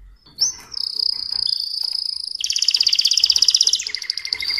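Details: Mosaic canary singing: a sustained high whistled note sliding slightly downward, then a fast rapid trill of buzzy repeated notes, ending in a lower rolling trill; clean recording with no other clear sounds.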